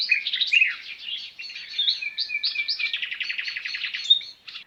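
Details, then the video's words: Sparrows in a natural setting, busy overlapping chirps and a fast rattling trill in the middle, high-pitched throughout. "صوت زقزقة العصافير"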